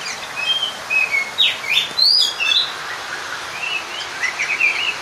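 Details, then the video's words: Oriental magpie-robin singing to call out a rival, in a few sharp whistled notes and quick up-and-down slurs, then a softer twittering run toward the end. "Pancingan suara Burung kacer/ mencari lawan Bikin Emosi seketika"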